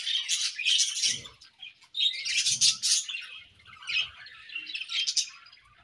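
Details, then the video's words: A pair of budgerigars in an aviary warbles on a morning in loud clusters of scratchy, squeaky chirps about a second long, separated by brief dips, with faint low rustling beneath. "A Beautiful Morning with Budgie Pair | Serenade in the Awesome Aviary"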